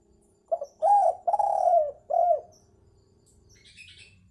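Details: Spotted dove luring call: a short note, two long mellow coos falling slightly in pitch and a brief final coo, followed by soft twittering chirps and low background rumble.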